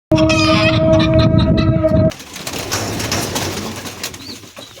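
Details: A chicken on a small chicken and pigeon farm in Saudi Arabia gives a loud, steady, drawn-out call lasting about two seconds.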